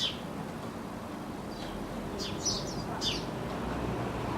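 Eurasian tree sparrow giving a few short, bright chirps in an irregular loose series, over a steady low rumble of traffic.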